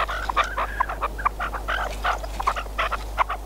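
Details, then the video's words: Decoy partridge used for hunting: short burst of harsh, clipped clucks, irregularly spaced, several with a brief squeaky edge, against a low steady hum. "Perdiz con reclamo"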